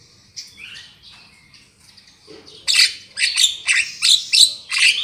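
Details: Javan myna calls meant as a lure for catching birds: soft slurred whistles and wheezes, then a series of strident scratchy squawks about twice a second.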